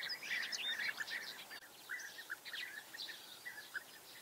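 European bee-eaters giving a busy stream of short, liquid, rolling chirps, several overlapping about three or four per second, with soft background hiss.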